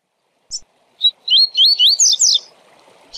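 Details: Tui Tui Zel Zel song from a double-collared seedeater, a style for training tournament birds: a high chip and a short note, then a fast chain of slurred whistles rising into a buzzy peak, with a light hiss behind.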